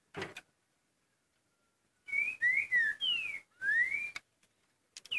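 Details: Trinca-ferro, or green-winged saltator, with the "curricutil" song: a brief noise burst, a silent stretch, then one phrase of clear whistles ending in a long rising slur, followed by sharp clicks.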